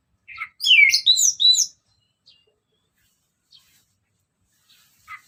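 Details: Ngeplong song of an orange-headed thrush: one short, loud burst of rapid, varied, slurred whistles, followed by near silence and a few faint notes.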